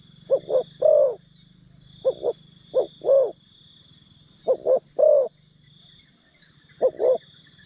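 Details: Decoy spotted dove luring forest birds with repeated low coo phrases, paired short notes followed by a drawn croo, about one every two seconds, the last phrase cut short, faint high whine behind.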